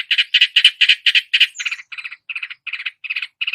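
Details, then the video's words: Long-tailed shrike mimicking other birds with a steady, rattling series of buzzy notes, about four per second, gradually softening. "masteran cendet menirukan semua jenis burung kicau"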